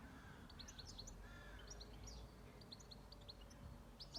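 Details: A bird singing on a farm: short, high, clipped notes in small groups with pauses between, over a low rumbling background.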